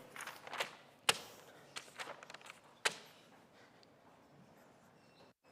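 No animal heard; sharp knocks and slams with footsteps and faint room noise indoors, fading to quiet near the end.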